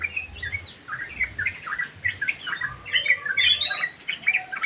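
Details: Lively song of a sooty-headed bulbul kept in an aviary: busy, warbling chirps and short slurred whistles, growing fuller toward the end, over a low background hum.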